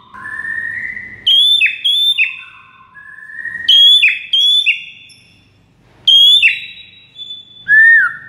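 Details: White-rumped shama tutor song meant to get other shamas responding: slurred whistles, then bursts of sharp higher notes in three groups separated by short pauses.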